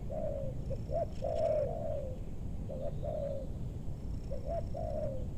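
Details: Spotted dove cooing in a meranti forest in West Bogor, Indonesia, where wild birds are lured. Soft repeated phrases of short hooting notes and a longer falling coo, with low rumbling background noise.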